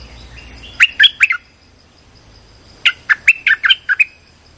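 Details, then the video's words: Streak-eared bulbul calling as a lure for trapping: four quick chirps, a pause of over a second, then seven or so bright, slurred notes in a fast, uneven run over a steady high hum. "Suara pikat merbah lekir gacor"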